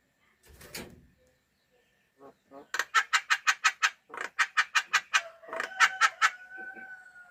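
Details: A bird giving a quick series of harsh, buzzy, clipped notes, about three per second, after a few scattered sounds. A drawn-out tone runs beneath the final notes.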